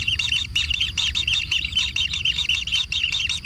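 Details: Kingfisher chicks calling for food at a natural nest, a regular pulse of short, high double chirps about three to four per second, bright and squeaky.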